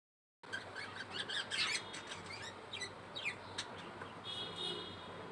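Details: A five-day-old budgerigar chick gives thin, high, squeaky chirps in short irregular bursts.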